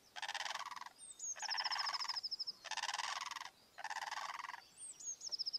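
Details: Blue crane calling: four rasping, buzzy bursts, each about a second long, separated by short pauses, with a thin, high, rapid trill from another creature running between them.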